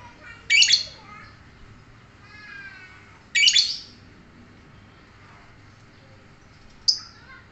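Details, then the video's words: Lovebird making loud, harsh, noisy squawks in two bursts about three seconds apart, with softer scratchy notes between and a short high call at the end. "Cek - cek cer Lovebird langsung ngekek"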